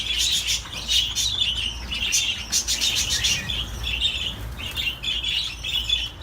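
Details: Budgerigar singing: quick runs of chirps and scratchy squeaks in pulsing bursts, some soft fluttering sounds, low hum underneath.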